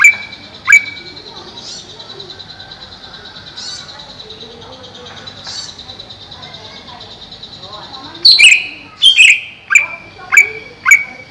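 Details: Greater green leafbird (cucak ijo), a caged bird kept over a pond, gives a few isolated sharp notes, then a quick run of five loud descending slurred whistles at the end; constant high hiss underneath.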